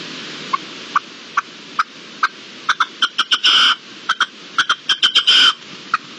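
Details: Wild red-legged partridge calling on 13 and 14 March 2022: sharp clipped notes that speed up into a rhythmic series, twice ending in a longer harsh, rasping burst.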